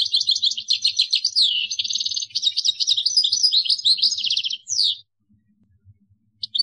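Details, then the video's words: Caged European goldfinch in Algeria delivering a continuous kadouss song: quick tinkling trills, rattles and sliding whistles for about five seconds, then a pause before a new phrase starts, faint low knocks underneath. "مورصو قادوس | extrait chant kadouss"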